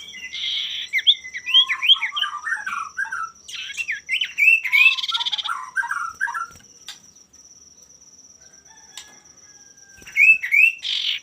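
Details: Male common iora singing to provoke rivals: dense chattering phrases mixing buzzy bursts with quick looping whistles, then a pause before another brief buzzy outburst, a persistent high steady tone behind.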